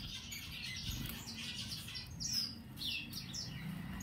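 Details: Yellow Gouldian finch in Chennai gives scattered thin, high chirps and short downslurred notes, a few per second, over a low background rumble.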